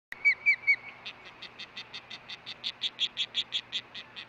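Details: Female osprey at the Hellgate nest on 10 August 2013, 11:40 am, after the male's fish delivery, from a nest cam. Three chirps are followed by a steady series of short buzzy pulses, about five per second.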